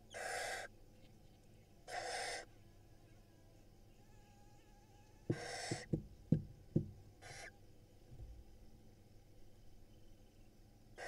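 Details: Begging barn owl nestlings in a nest box in Israel while their mother feeds them. Several harsh hissing bursts are mixed with loud thumps and scuffling knocks from movement in the box.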